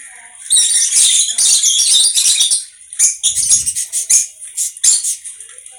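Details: Pet conure calling with harsh, grating squawks concentrated high in pitch, a dense burst for about two and a half seconds, then shorter separated screeches after a brief pause.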